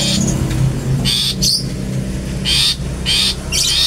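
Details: Long-tailed shrike giving its "toet toet" style, used as a lure to provoke other shrikes: about five harsh, buzzy broadband bursts at irregular gaps, over a steady low engine-like hum.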